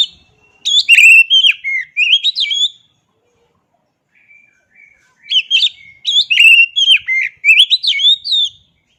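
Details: Oriental magpie-robin (kacer) song in two loud bursts of rapid, varied whistles and sharp chirps, each about two seconds long, separated by near silence; clean recording with no other sounds.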